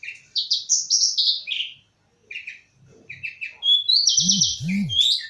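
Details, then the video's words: Caged bush lark singing in the style called krece: bright chirped phrases in quick runs, some rapid trills, brief pauses between bursts, and low hum-like thumps near the end. "Burung Branjangan Parfa ''krece''"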